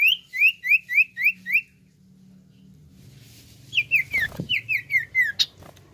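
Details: Common iora singing 'nyiul': a series of six evenly spaced falling whistled notes, a brief gap with low hum and a knock, then a longer run of similar descending notes.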